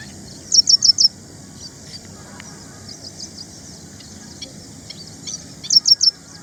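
Ashy prinia giving two quick bursts of four high, sharp chips, about five seconds apart, with softer scattered chirps between over a faint steady background hiss.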